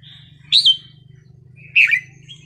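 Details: Red-whiskered bulbul wild-style song: two bright, slurred whistled phrases a little over a second apart, over a faint low hum.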